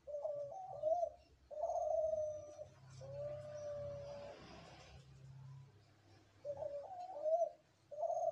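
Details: Spotted dove, one of three birds present, giving repeated low coo phrases with wavering, quavering notes and long flat held tones, separated by pauses filled with faint low rumble and noise.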